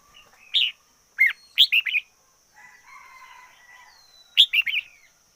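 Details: Red-whiskered bulbul, a decoy bird, giving loud chirpy whistled phrases of three to four notes, with a soft lower hum or distant sound in a pause.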